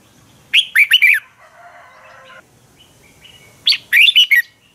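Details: Red-whiskered bulbul fighting song, a training track to push birds to sing: two loud phrases of quick, bouncing warbled notes about three seconds apart, with a soft buzzy murmur between them.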